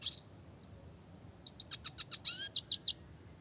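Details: Red siskin, classic style, recorded for small-bird training: a short buzzy note, a pause, then a rapid string of sharp high chips ending in repeated clipped whistles, over a faint continuous tone.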